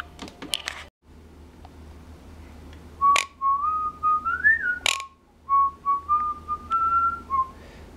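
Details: A female pet Quaker (monk) parakeet sitting on her owner's knee at work whistles a clear, tune-like phrase that rises and falls, broken by a few sharp clicks.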